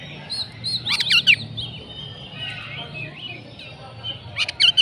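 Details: Oriental magpie-robin, konslet song style: thin high whistles leading into a dense burst of scratchy chattering, soft rising whistles, then a second harsh burst at the end. Low hum underneath.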